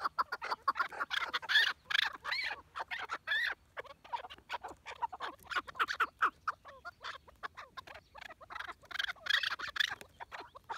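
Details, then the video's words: Several chukar partridges call in a jumble of harsh, clucking notes. The notes come in uneven bursts with short gaps, louder at the start and end. "Keklik Sesi Muhteşem - Keklik Hengamesi"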